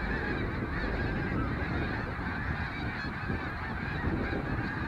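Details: Snow geese on migration: a dense, unbroken chorus of overlapping honks and yelps from a large flock, steady in loudness throughout, over a heavy low rumble.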